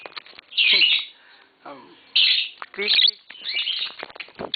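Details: Tame green Fischer's lovebird pair kept at home, chirping: loud, piercing squeaks in separate bursts about every second, some sliding downward, with a person's voice faintly in the background.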